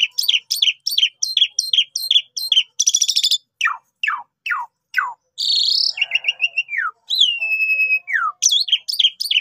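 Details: Javan pied starling singing for trapping bait, opening with rhythmic repeated chirps, then a rasping burst, sweeping falling whistles, and stepped descending whistled phrases.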